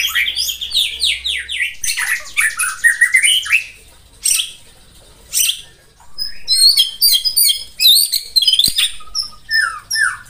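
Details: Morning song of a white-rumped shama meant to rouse rival birds: a descending run of whistled notes, then harsh broadband rattles and rapid chattering phrases after a brief pause.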